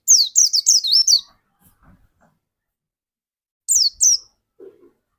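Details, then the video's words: High, rapid white-eye chirps from a pleci dakun kept as a lure to get other white-eyes singing. A fast run of sharp downslurred notes, then a quiet gap, then two more bright notes and a faint low rustle. "Burung pleci dakun gacor seperti ini yang cocok buat pancingan burung pleci lain agar cepat gacor"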